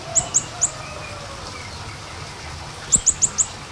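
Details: High, thin small minivet notes used as a lure: three spaced whistles at the start, then a quick string of four after a pause, over low rumbling background.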